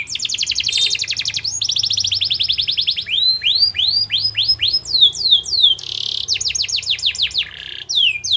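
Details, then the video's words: Canary song used as a lure to get a reluctant, lazy canary to answer and sing: fast rolling trills of high chirps, shifting into slower repeated down-slurred notes, then buzzy bursts and more quick trills, with faint low hum beneath. "Suara Kenari Gacor Yang Malas Awas Nyaut || Pancingan Kenari Malas Bunyi"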